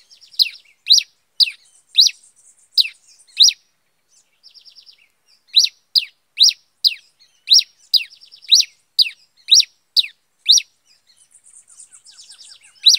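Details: Cravina (cabeça de fogo), the pileated finch, singing in the bush: a long series of crisp, high descending chirps at roughly half-second intervals, broken by short bursts of faint, rapid twittering between the phrases.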